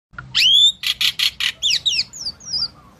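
Asian pied starling: a rising whistle, then four quick harsh rasping chirps, ending in a run of thin, falling whistled notes, all within three seconds.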